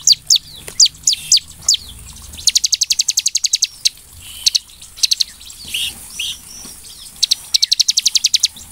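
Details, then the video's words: Bar-winged prinia singing for a lure recording: a few separate slurred notes, then long, even runs of rapid high ticking notes. Softer mixed chirps fill the gaps. "SUARA CIBLEK GACOR UNTUK PANCINGAN CIBLEK AGAR EMOSI DAN GACOR"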